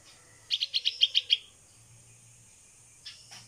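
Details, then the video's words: Baby bulbul (pulangga), a 16-day-old hand-reared fledgling rescued from a cat, calling for its mother while practising to fly in the open: a quick run of seven high, sharp chirps within one second, then quiet. "Baby Bulbul Bird (Pulangga) Calling Mom While Practicing To Fly in the Open"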